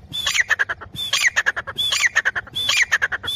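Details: Female grey francolin calling: loud phrases repeated roughly every 0.9 seconds, each a clear rising-falling whistle followed by a run of harsh, clipped squawking notes, with low background rumble.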